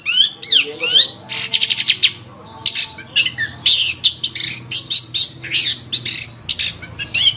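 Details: Cendet, or long-tailed shrike, in full gacor song on a tutor track for caged birds: a varied, hurried stream of downslurred whistles, dense harsh bursts and rapid chattering notes, nearly continuous throughout.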